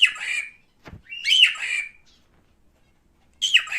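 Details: Male cockatiel giving loud, harsh, wavering squawk-whistles, each about half a second long, with a brief knock and a pause between calls.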